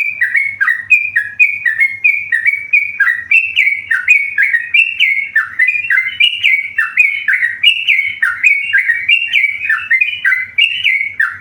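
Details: Long unbroken performance by a tame yellow-vented bulbul, singing eagerly: bubbling whistled phrases of stepped notes, each dropping in pitch, repeated steadily for over ten seconds.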